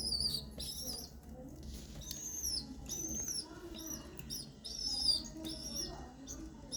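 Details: Pigeon chick begging while its parent feeds it by regurgitation; shrill, arched squeaks come in clusters every second or so over a low, steady indoor hum.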